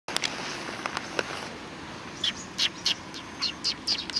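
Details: Sparrows greeting an arrival on 27 July 2020: a run of short, high chirps repeats in quick succession through the second half, after a few scattered clicks and ticks at the start.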